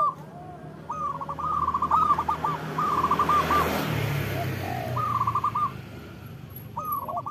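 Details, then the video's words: Local zebra dove singing vigorously, a loud-voiced bird used to prompt lazy doves to sing: short stuttering cooed phrases near one pitch, bursts of rapid rolled notes with pauses, under steady background hiss and a low rumble. "Perkutut lokal gacor Suara Besar Pancingan Perkutut Cepat Bunyi Gacor"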